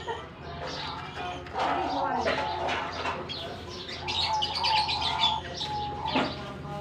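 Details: Lovebirds exploring their colony aviary after release for summer in Germany; overlapping shrill chirps and chatter build into a thick chorus, with sustained mid whistles and a faint low machine hum underneath.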